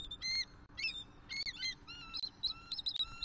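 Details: Male and new female eagle vocalizing as they mate on the nest attic in Southwest Florida, morning of 1 October 2023, during stick-bringing for a new season. Rapid, high chittering chatter of short piping notes, some falling, tumbling almost continuously.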